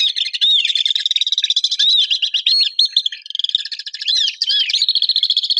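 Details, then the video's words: Common swifts in an urban setting: continuous harsh, high screaming trills with short arching whistled notes woven in, a dense chorus that pulses rapidly and barely pauses over nearly six seconds. "¡Escucha los chillidos del VENCEJO!"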